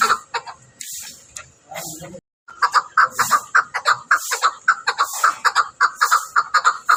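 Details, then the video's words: Chakor, the chukar partridge of Pakistan, calling in a rhythmic run of chuck-like notes, about two per second, growing louder and more regular after a brief break in sound. "Chakor | chakor ki awaz"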